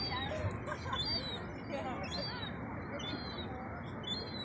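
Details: A Herring gull chick, about 4–6 weeks old, begs with repeated thin, whistled peeps that rise and fall, over a steady rumble; Eastbourne seafront near the pier, East Sussex, UK, 4 pm, 12 August 2021.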